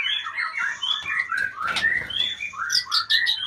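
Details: Retired champion magpie-robin singing a varied run of short whistled and slurred phrases, several rising and falling sharply, with a brief harsher burst near the middle over a faint low background hum.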